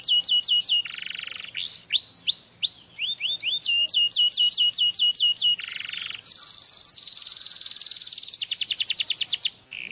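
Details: Canary song meant to stimulate mating: rapid falling whistles and rising hooked notes, a low rolling buzz, then a long high rattling trill and a fast pulsed series.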